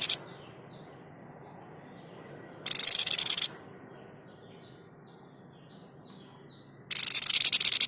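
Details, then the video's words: Tutor recording of a white-chested babbler's 'tembakan' shot call: dry, rapid, buzzy rattles of under a second each, spaced about four seconds apart, with faint high twitters between. "Tembakan terbaik burung sniper gacor"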